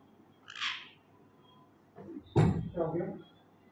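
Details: A tame male Alexandrine parakeet, learning to talk, gives a brief high, harsh squawk, then a burst of throaty, word-like syllables imitating human speech, in a quiet room.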